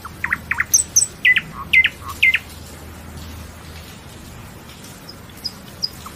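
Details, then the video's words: A common nightingale sings a brief phrase of sharp, repeated chirped notes about twice a second, with thin high notes above, then a few faint high whistles. "Lose Yourself in the Nightingale's Song"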